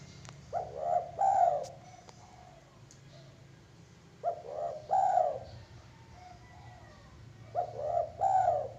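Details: Zebra dove singing three phrases, roughly every three and a half seconds. Each phrase has a few clipped lead-in notes, then a longer rolling, warbled coo, over a faint steady hum.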